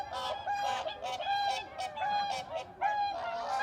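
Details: Bean geese, commonly met in Korea, honk in a loose overlapping chorus of nasal two-part calls about once a second, with no other sounds behind them.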